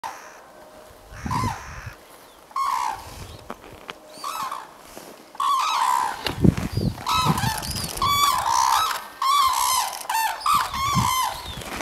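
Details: Red-crowned cranes arriving in the morning at the Akan International Crane Center, 21 January 2024. Several birds give loud, honking, harmonic calls that overlap and grow busier after six seconds. Quieter, scattered calls come in the first seconds.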